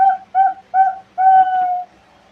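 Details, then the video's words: Zebra dove lure sound for trapping: three short, clear coo notes followed by one long, drawn-out, level note. "Pancingan Perkutut FULL,perkutut Bangkok,Pikat perkutut,perkutut lokal gacor"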